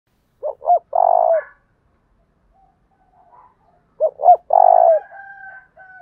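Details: Spotted dove giving a lure call in the thúc bổi style, described as a thổ đồng voice. Two phrases, each with two short throaty notes and then a long, low, slightly purring coo, followed by a faint thin higher tone.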